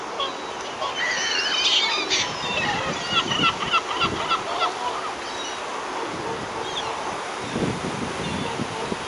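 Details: Whooper swans at Hoganfield Loch on 14 October 2021 give loud, bugling honks, many overlapping in a busy chorus, against steady wind or water noise.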